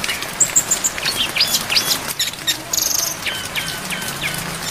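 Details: Brown-chested jungle flycatcher training song filled with varied phrases over falling rain: high thin whistles, then clusters of quick chirps and rattly notes, with rain hiss throughout.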